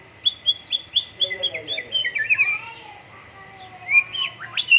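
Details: White-rumped shama in full song during morning dew airing: a rich run of varied whistled phrases, fast trills and rising and falling slurs, with a faint steady tone underneath.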